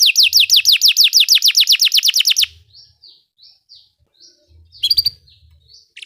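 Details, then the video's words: Belgian canary song meant to train other canaries: a fast run of steeply falling whistled notes for over two seconds, then soft short chirps and a brief buzzy burst. "Belgian canary singing makes your canary sing"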